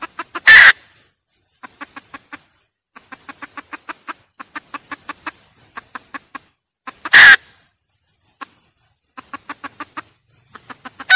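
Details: Cackling hen used as a lure, giving long uneven series of soft clucks punctuated by two loud, raspy squawks about six seconds apart, with a third starting at the end.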